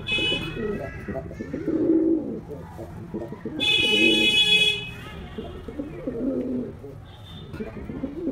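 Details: Performing male white domestic pigeon. Low, rolling coos come in three bouts about two seconds apart, with speech and a loud car horn in between.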